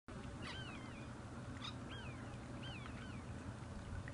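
Asian dowitcher giving a few thin, slurred whistled calls, some rising and some falling, spaced about a second apart over a steady low rumble of wind or engine.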